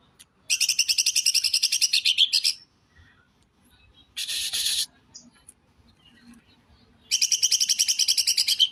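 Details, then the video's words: Greater green leafbird singing in the tembakan besetan kasar style: two long, fast, rattling high trills of rapidly repeated notes, separated by a short buzzy burst and a pause. "CUCAK IJO TEMBAKAN BESETAN KASAR"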